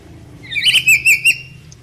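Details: A red lory learning to sing gives a brief run of shrill, squeaky whistled notes, four or five quick chirps in under a second, against a quiet background.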